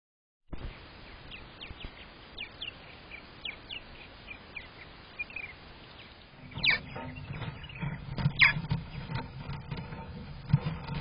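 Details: Purple martin at nest #11 in a camera-equipped colony rack, recorded May 27, 2023: faint scattered chirps at first, then louder sharp downward-sweeping calls with low rumbling noise inside the nest box.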